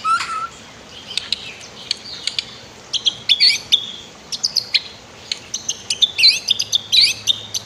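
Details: White-rumped shama song for training other birds, paired with a flowing river: varied high whistles, sharp chips and quick trills in irregular bursts over constant rushing water.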